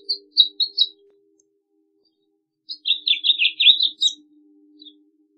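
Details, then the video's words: A few separate high chirps, then a quick twittering warble of a house finch lasting about a second and a half, followed by quiet. "Pinzón Mexicano / Carpodaco Canto! Llamado! Cantando! - House Finch Song - Haemorhous Mexicanus"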